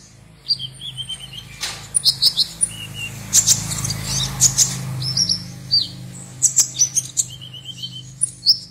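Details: Konin (Purple-throated sunbird) from Serang, Banten, Indonesia, singing for an online contest: scattered high, thin twitters and short descending chip series over a steady low background rumble.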